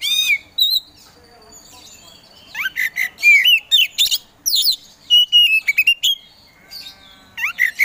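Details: Kacer poci Oriental magpie-robin in lively provoking song: quick sweeping whistles, sharp chips and upward slurs in a varied, rapid run, broken by brief pauses.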